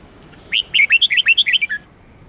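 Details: Red-whiskered bulbul song: one fast, lively phrase of about ten bright whistled notes that bounce up and down and end on a lower falling note.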